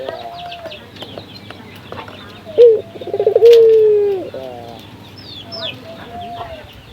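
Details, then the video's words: Local barbary dove (puter lokal) used as a lure to get other doves singing: one short bright note, a quick stuttering series, then a long steady coo that sags slightly at the end, amid faint background noise and distant chirps. "Pancingan burung puter gacor, melatih burung puter lokal agar cepat gacor"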